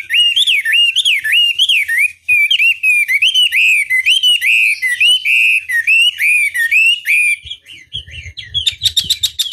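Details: Chinese hwamei lure song aimed at provoking rivals: rich, undulating whistles in a continuous rolling sequence, rising and falling about once a second, ending with a short rattle of rapid notes.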